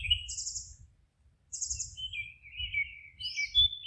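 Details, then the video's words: Forest birds chirping: a quick high trilled phrase, a one-second pause, then another trill followed by wavering whistled notes and high chirps, with a faint low rumble beneath. "Forest relaxing sounds of singing birds"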